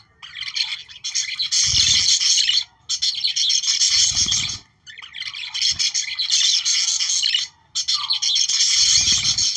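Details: Australian budgerigars, their chatter used to activate breeding, warble in four long buzzy, twittering bursts about two seconds each, with a few soft low thuds in between.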